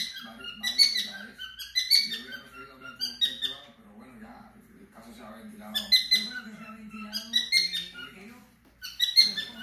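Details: Pet cockatiels indoors singing while their owners try to watch TV: loud bursts of bright, chirpy whistled notes in clusters about every second or two, with steady low television voices running underneath.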